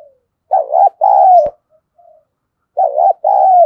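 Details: Spotted dove used as a lure bird, cooing to draw wild doves: two loud coos, each a short wavering note then a long level one, separated by a faint click and soft murmurs.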